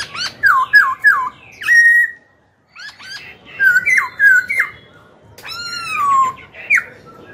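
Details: Song of a Black-throated laughingthrush, used to incite rival birds and train young birds: rapid series of looping whistled notes in groups of three, a brief silence, then more rolling phrases and a long descending whistle.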